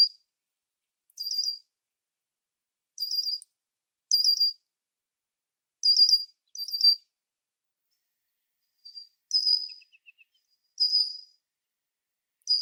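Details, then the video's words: Red-winged blackbird in Ontario, Canada, giving short, high, chirpy notes, each under half a second, at uneven gaps of one to three seconds, with a brief faint ticking near the end. "Red-winged Blackbird Sounds and Calls"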